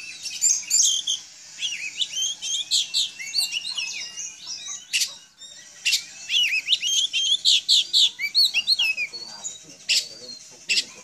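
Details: Domestic Oriental magpie-robin in full song meant to draw replies from other magpie-robins: dense, high, varied twitters and whistled slurs, interrupted by sharp clicks, rising and falling in fast busy phrases.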